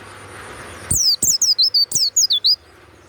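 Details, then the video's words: Banyuwangi-type warbling white-eye, a prized loud 'ngeplong' cage singer, bursting into about eight rapid, piercing, downward-sweeping whistles in just over a second and a half. "SUARA PLECI YANG MANTAP"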